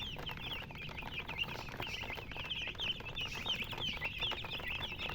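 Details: Young chicks in a busy chorus of high, sharp cheeps, each a short swooping note, repeated many times a second with scattered ticks and scratching sounds underneath.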